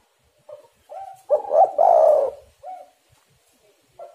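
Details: Spotted dove cooing, a soft low phrase of short spaced notes swelling into two longer, louder throaty coos, then quieter short coos trailing off in a quiet setting.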